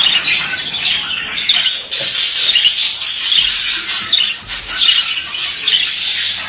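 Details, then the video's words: Male budgerigar in dense, nonstop scratchy chatter, a rapid buzzing warble with little pause and quick clicks layered through it. "Erkek muhabbet kuşu sesi"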